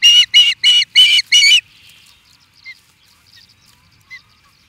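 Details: Agitated Osprey in Charlo, Montana, USA, calling at an intruder: a quick run of five loud, harsh, ringing yelps, then soft scattered chirps trailing off.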